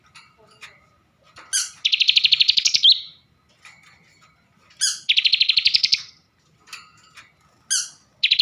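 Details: Bar-winged prinia kept in a cage in Slawi, Tegal, Central Java, giving a filled song. Sharp opening notes lead into a dense buzzy rattle about a second long. The phrase repeats roughly every three seconds.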